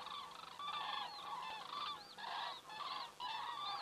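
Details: Flock of common cranes passing overhead, recorded by an Estonian crane cam on 27 September 2017 in the evening, 19:26; clear trumpeting notes with rising and falling inflections follow one another in quick, uneven bursts.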